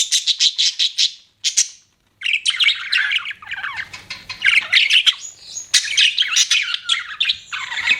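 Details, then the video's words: Pet budgerigars chirping: rapid bursts of bright, buzzy chatter with quick rising and falling notes, broken by a short silent gap, then continuous warbling and squeaky chirps to the end. "BUDGIES CHIRPING SOUND"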